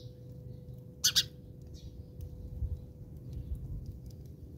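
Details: Two loud, sharp, harsh chirps in rapid succession from house sparrows squabbling in South Africa, followed by faint scattered high notes over low background rumble.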